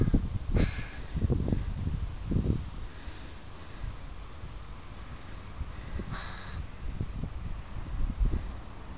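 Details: Crow family with young crows in a park on a Sunday: two short, hoarse caws about five seconds apart, with thumps and rustling handling noise throughout.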